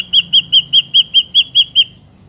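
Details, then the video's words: Ashy drongo song used as a lure for trapping birds: a run of nine clear, high whistled notes on one pitch, evenly spaced about every fifth of a second, then silence. "PANCINGAN SUARA BURUNG SRIGUNTING AMPUH"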